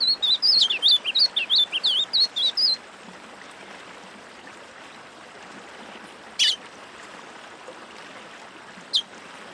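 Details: Warm-up song of the wing-barred seedeater, used in training birds. Nearly three seconds of rapid, loud, zigzagging high whistled notes, then silence broken by two sharp isolated chips.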